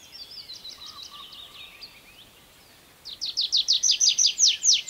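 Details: Tree pipit singing on the ground with short verses: faint high notes and a soft low whistle at first, then after a pause a loud run of sharp repeated descending notes.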